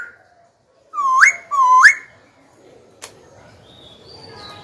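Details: Caged young Black-throated laughingthrush singing to rouse rival birds and train young birds: two upturned, hooked whistles close together, then a sharp click and faint background sounds.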